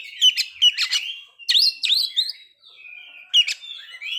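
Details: White-rumped shama song played to stir breeding condition and aggression; short bursts of harsh, buzzy notes and swooping whistles separated by a pause and a quieter drawn-out whistle.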